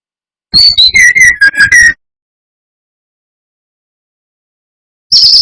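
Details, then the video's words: Lure song of a brown-chested jungle flycatcher, used to enrage rivals: a fast descending string of pure whistles lasting about one and a half seconds, then silence before another phrase starts at the end. "Pancingan SRDC gacor atas bawah || suara bikin ngamuk SRDC lainnya"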